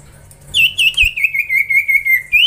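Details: Juvenile common iora, singing eagerly during training, gives a steady stream of clear, even whistled notes, about eight in two seconds, each with a slight downward turn, ending in a rising whistle.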